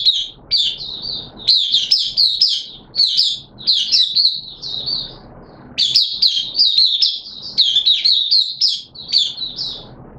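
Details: High, rapid warbling from a caged oriental white-eye (mata puteh) kept for the bird hobby in wet weather, in two long bursts split by a short quiet gap with faint background noise.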